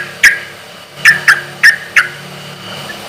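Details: Loud sooty-headed bulbul singing at a relaxed pace, meant to draw replies from other bulbuls: a few sharp, short whistled notes spaced roughly a third of a second apart over a steady low background hum.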